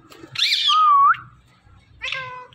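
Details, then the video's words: Indian ringneck parakeet talking: a harsh, harmonic syllable sliding into a smooth whistled note, then a shorter buzzy second syllable after a brief pause. "These Ringneck Parakeets Are The Best Talking Parrots"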